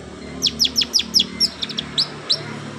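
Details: Imitation of canary song by a long-tailed shrike: about eight bright, high downslurred chirps, fairly evenly spaced, with a couple of fainter notes between them over a low steady hum.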